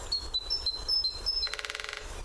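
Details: Short passage of a great spotted woodpecker on its favourite drumming post: several high, thin whistled notes from other birds, then one brisk half-second burst of drumming; parabolic mic recording.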